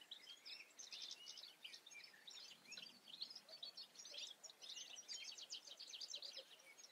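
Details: European goldfinch song: a fast, tinkling, twittering stream of high chirps and trills running almost continuously, with rolling buzzy bursts and little pause, against a soft outdoor background.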